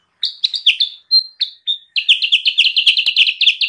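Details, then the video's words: Lure recording of sooty-headed bulbul song: a few separated chirps and short clear whistles, then a fast, continuous chatter of bright, down-slurred notes. "suara burung kutilang sutra gacor!!! pancingan dan pemikat burung kutilang sutra liar"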